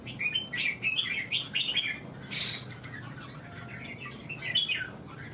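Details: A Vietnamese contest red-whiskered bulbul delivers rapid chirpy warbling in a string of short bursts, then quieter phrases, with a low hum and a brief rustle in the middle.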